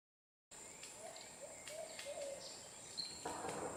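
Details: Cream-colored woodpecker in Suriname, 2012, giving a short run of soft, low, slurred notes about half a second apart, over a steady high insect whine and faint chirps from other birds.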